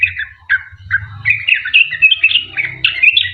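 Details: Sooty-headed bulbul song used as a lure to get other bulbuls singing. Separate slurred whistled notes come first, then speed into a quicker run of bright chirps, over a low steady hum.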